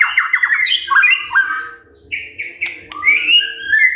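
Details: White-rumped shama morning song intended to provoke other birds: rapid chattering notes, squawky slurs, then separated whistled phrases rising and falling, with a faint hum and a click.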